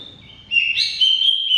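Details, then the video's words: Greater green leafbird song meant to spur a non-singing bird: a short, high, bright whistled phrase swelling into a rich sustained note. "Suara Kicau CUCAK IJO Gacor Panjang Khusus Untuk Cucak IJO Yang mogok NGOCEH"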